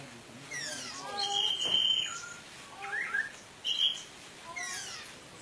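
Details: Orange-headed thrush from Indonesia in 'teler' style with rich fill, used as a lure to rouse other thrushes that stopped singing; varied whistled notes around a sustained flat whistle and short rising slurs, with gaps between phrases.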